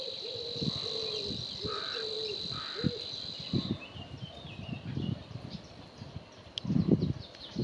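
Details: Savi's warbler (Locustella luscinioides) at the Gremandlweiher pond gives a high, fast, insect-like reeling trill held steady for several seconds, with lower hollow calls and rustling underneath.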